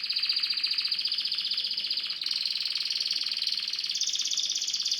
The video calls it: syrian canary sings